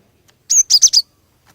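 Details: A single crisp phrase from a female cinereous tit calling males to sing: four rapid, very high chirped notes in half a second, clean and close, with quiet surroundings.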